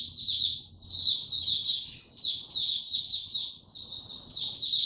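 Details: Captive white-eye singing with no health supplements given: rapid high chattering twitter in bursts of about a second, steady and loud, with a soft low hum in the background.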